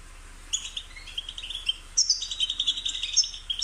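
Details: European goldfinch song played to stimulate a bird to sing: a continuous run of high, thin twittering notes after a brief quiet start, with a soft low hum underneath.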